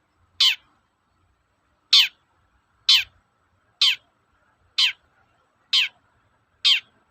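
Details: Long-tailed shrike repeating its harsh toet-toet call, used to provoke shrikes to sing: seven short, rasping, down-slurred notes, about one per second, with a thin steady hum behind them.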